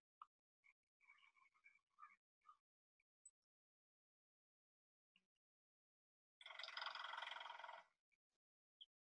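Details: Male Pileated Woodpecker drumming on a metal roof to attract a female: one loud, rapid, ringing roll lasting about a second and a half, with a few faint scattered sounds before it; its call follows.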